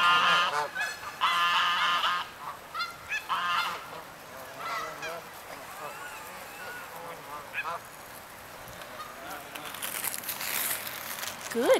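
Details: Mixed Greylag and Canada Geese at Redding, California: several loud nasal honks in the first few seconds, then fainter scattered calls fading into quieter background noise.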